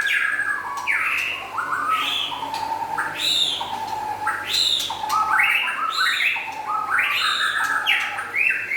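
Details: Lively song of a white-rumped shama, described as local and forest birds: rich whistled phrases that climb in quick steps and then drop, with frequent short clicking notes mixed in.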